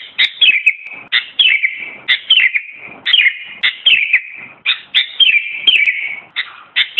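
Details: Sooty-headed bulbul song: short phrases of rich, slurred, descending chirps, repeated roughly every three-quarters of a second in a steady cadence against a quiet background.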